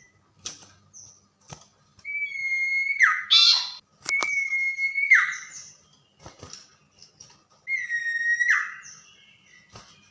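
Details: Tame common iora in full song at night, repeating a long level whistle that ends in a steep downward slur, three times about two to three seconds apart, each followed by a brief harsh burst.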